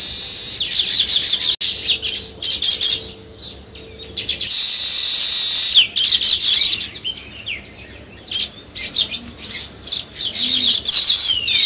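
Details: Several sparrows chirping while weaver birds build nests nearby; bursts of busy, buzzy twittering alternate with quieter gaps and short loud rushes of hissing chatter, sweeping chirps near the end.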